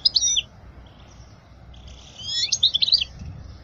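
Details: European goldfinch song for teaching young goldfinches: a brief twittered note, a quiet pause, then a soft run of liquid chirps.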